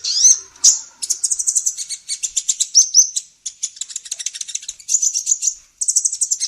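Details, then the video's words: Female olive-backed sunbird in busy song, used to train songbirds: a couple of high whistles, then sustained fast, shrill chattering trills continuing with only brief gaps. "SUARA BURUNG KOLIBRI NINJA BETINA GACOR"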